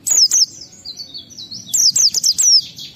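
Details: Oriental white-eye singing in the 'ngalas' style, a lure for kept birds: high downward-slurred whistles, two at the start, softer thin notes, then a rapid run of four bright descending phrases.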